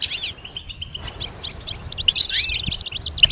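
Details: Goldfinch heard in a songbird-training recording: a sweeping opening note, then clipped high chirps and short trilled phrases in irregular bursts, fairly clean background.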